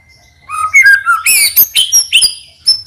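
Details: White-rumped shama singing as a lure for other birds: a thin steady whistle, then falling warbled notes, followed by a burst of loud, high ringing whistles and sharp chips.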